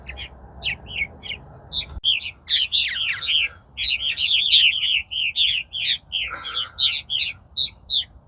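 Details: Purple martins at a backyard nest-box and gourd setup on about 18 April, arriving later than usual, chatter in a steady stream of gurgling, croaking notes, several birds overlapping in rapid bursts of roughly three per second.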